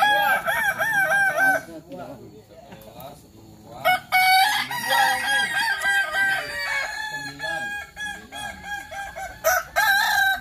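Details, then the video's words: Practice crowing match of Kukuak Balenggek chickens in Sawah Lunto: loud multi-syllable crows with undulating, stair-stepped notes fill the start and the second half, broken by a quieter gap with faint background chatter. "Latber Ayam Kukuak Balenggek di Sawah Lunto"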